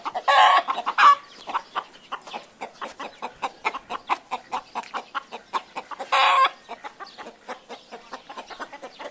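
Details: Cackling of a hen: a dense, continuous string of quick clucks. It is broken twice by loud, harsh, sustained squawks, the first at the opening and the second about two-thirds through.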